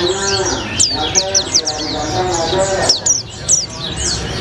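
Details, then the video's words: White-eye with a colibri-flavoured, continuous 'gacor ngalas' song: quick sharp downslurred high notes repeated several times a second in a steady run, with faint low voices or hum underneath. "Burung Pleci Rasa Colibri, Gacor Ngalas"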